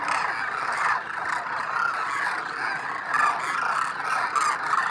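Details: Massive flock of migratory demoiselle cranes resting by a water hole in Rajasthan, India, during winter, preening their plumage. A steady wall of overlapping nasal, honking calls from countless birds, with no single voice standing out.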